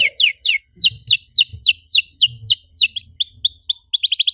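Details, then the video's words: Canary lure song to set other canaries singing: a steady series of high, falling whistled notes, about four a second, switches to rising slurs and ends in a fast, bright trill. "PANCINGAN EFEKTIF BURUNG KENARI, CORR DORRR!!"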